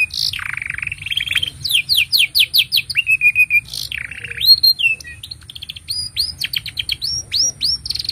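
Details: Continuous canary song for teaching young canaries and prompting mute birds: a low rolling buzz, a run of evenly spaced upswept notes, a level churring trill, then further bright whistled phrases repeated in quick series.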